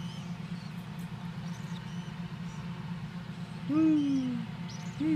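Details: Young captive-bred tropical screech owls, hatched in early July 2014, are raised for handover in early August. A single hoarse, downslurred call rises briefly and then falls. A second one starts at the end over a steady low rumbling hum.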